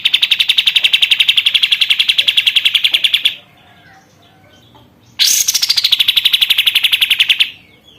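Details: Caged sooty-headed bulbul, in care for one month and singing often, delivers a rapid, even rattle of sharp notes for about three seconds, pauses two seconds, then resumes with a louder run that starts higher and settles lower.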